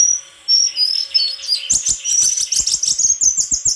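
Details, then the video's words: White-throated flycatcher giving a loud, high whistled phrase that slides downward, then a rapid chattering stream of notes with repeated clicking taps underneath. "Sikatan krongkongan putih suara gak kalah sama burung kicau lain"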